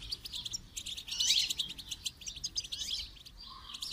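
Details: A goldfinch sings as a training model, delivering a rapid run of sharp, high chirps and buzzy trills that peaks briefly and then carries on in short twittering phrases.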